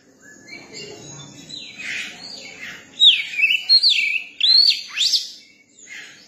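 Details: Song of a young Oriental magpie-robin: quiet scratchy notes lead into five or six loud, clear whistles, each dipping and rising, with a final sharp upswept note.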